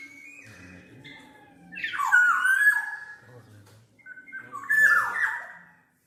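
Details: Song of the black-naped oriole, played for luring or training birds: two bursts of rich, wavering whistled notes with slurred falling ends, separated by a short pause.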